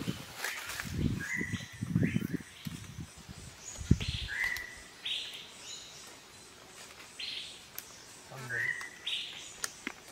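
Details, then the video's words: Malabar grey hornbill in Kerala, giving short harsh upward calls around mid pitch, several spaced over the recording, with low thumping noises and rustling in the first half and faint background birds. "Malabar Grey Hornbill | കോഴിവേഴാമ്പൽ"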